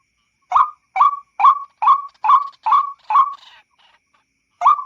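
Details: White-breasted waterhen lure call for hunting at night: seven rapid upswept notes in a regular series, then a pause of over a second and one more note.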